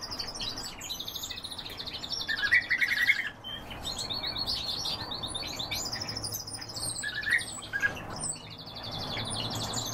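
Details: European bee-eaters in a chorus of rolling, burry trilled calls, repeated and overlapping, with a louder cluster of lower rapid chirps early on and again later.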